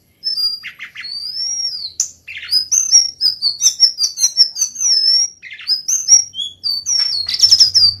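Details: Golden-bellied gerygone (srikatan) singing in the kerongkongan style, used as a tutor recording for songbirds: high, thin whistled notes sliding up and down, clustered sweet phrases and quick chips, with a dense burst near the end.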